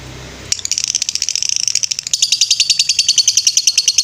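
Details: Lovebird ngetrek master song for training birds: after a soft start, a sudden, fast run of high, clipped notes begins and later settles into a steadier, evenly spaced trill.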